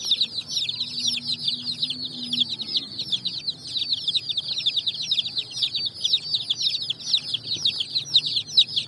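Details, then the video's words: A flock of coloured chicks on sand hunting for food in evening sunshine; an unbroken stream of piercing peeps, many birds calling at once, and a brief low hum early on. "Chicks Chirping"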